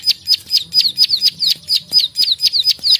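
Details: A rice-field prinia gives its 'klik-klik' call as a fighting-style tutor recording: rapid, sharp, high clicking notes, about two per second, each a quick descending chip, steady and insistent throughout.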